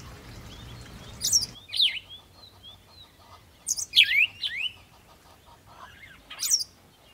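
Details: House sparrow uttering loud, bright chirps in small groups of two or three sharp, falling notes, separated by near-silent gaps, with faint twittering behind.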